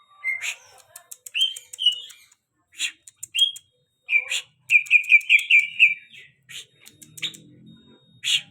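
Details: A very tame greater green leafbird sings in uneven phrases, with crisp high ticks and chirps interleaved with bright whistled notes. It builds to a fast run of repeated slurred whistles, then returns to scattered sharp calls. A faint low hum is heard.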